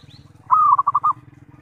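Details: Zebra dove (perkutut) calling as a lure for other zebra doves: one phrase of a long mid-pitched coo dissolving into four or five distinct bubbling pulses, over a steady low rumbling background hum.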